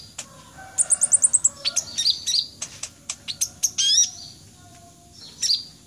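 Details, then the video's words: High-energy song of a red-breasted sunbird (kolibri ninja dada merah): a quick series of about eight bright, even chirps, then a jumble of sharp twitters and sweeping notes, then one final chip after a pause. "KONIN DAMER ngobra total"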